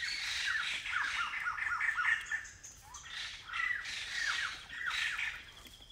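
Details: Blyth's paradise flycatcher (Terpsiphone affinis), a short-staying migrant in semi-evergreen community forest near Kulen National Park, Cambodia, calls with harsh, rasping notes in quick bursts of four to six, repeated over a quiet forest background.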